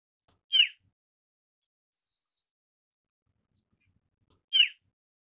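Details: Asian brown flycatcher: a rasping, buzzy call note, then a soft, thin, high-pitched whistle, then another rasping note four seconds after the first. No other sounds are heard.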